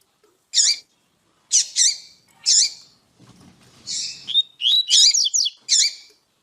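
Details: Calls of a female double-collared seedeater, used to stimulate male song: three spaced, bright, high chirps, then a quicker string of buzzy, looping whistled notes, with faint low rustling in between.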